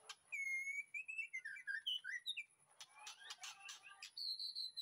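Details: White-rumped shama in a backyard aviary, afternoon, as training master song: a long steady whistle sliding into looping warbled notes, then a cluster of sharp clicks and a final high sustained whistle.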